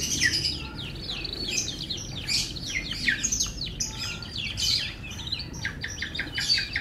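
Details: Melodious song of an F1 canary: dense chirping trills, quick downward-sweeping notes and buzzy rolls delivered without pause, steady low background noise beneath.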